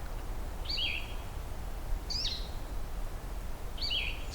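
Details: Blue-headed Vireo near a wetland at Beaver Meadows, Allegheny National Forest, on a hazy afternoon, giving three short, slurred, catbird-like mewing notes about a second and a half apart, over a steady low rumble of background noise.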